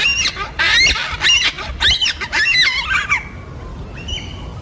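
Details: Yellow-tailed black cockatoos, which travel in groups of four or five in southeastern Australia and call to one another. Loud, grating, bending cries come in rapid bursts, then trail off into a faint thin note.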